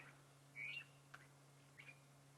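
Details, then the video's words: A drongo calls in the background on a cold sunrise drive on 15 November 2015, giving a short bright metallic note, then a sharp tick and a fainter twangy call, over a steady low mechanical hum. "It's not what's calling. You can hear a drongo calling in the background, everyone."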